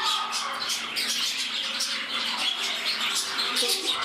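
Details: Pet budgerigars in a shared home, one bird becoming temperamental; unbroken high, buzzy warbling chatter with rapid clicks and chirps, steady in loudness, several birds overlapping.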